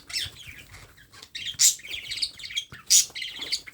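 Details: A baby parrot being hand-fed gives harsh, raspy squawks in uneven bursts, with several loud peaks over a few seconds and softer chattering notes between them.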